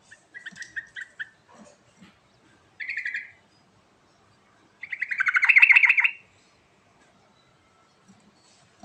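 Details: Yellow-vented bulbul in full song, a recording meant as a lure to prompt silent birds to sing: short chirps, a brief buzzy phrase, then a loud bubbling rattle of rapid, falling notes near the end.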